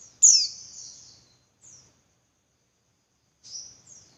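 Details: Female Javan white-eye calling as a lure for males; one loud, very high downslurring note with a long fading tail, a short thin note after, then a softer pair of high notes three seconds later.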